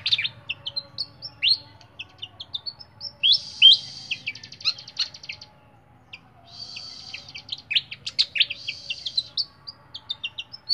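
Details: Clear-voiced flycatcher held in a cage, singing high whistled notes that slide downward, broken by two short buzzy rattles, then a fast jumble of sharp chirps; otherwise a quiet background.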